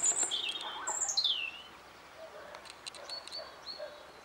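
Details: European robin in spring 2014, singing in response to an earlier recording being played back; a burst of thin, high whistled notes slurring downward, then quieter scattered high notes and faint lower chirps.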